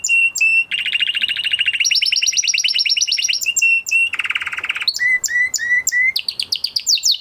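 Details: After moulting, a male canary runs through rolling trills at shifting pitches, a low buzzy rattle, repeated short falling whistles and a closing high trill, loud and continuous.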